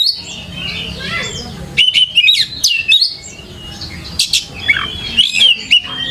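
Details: Oriental magpie-robin lure song used to provoke other magpie-robins into answering: bright whistled notes and sharp chirps around a steady high pitch, bursts of quick trills between short pauses, faint low hum beneath.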